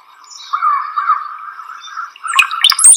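A Brown-headed Cowbird gives low, liquid gurgles like bubbling water, then ends with a thin, sharply rising whistle.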